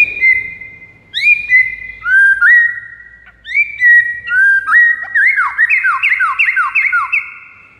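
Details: White-rumped shama song used to lure rival birds: loud, clear whistled phrases, some held and some sharply upslurred, then a fast run of rising, bouncy notes near the end, with short pauses between bursts.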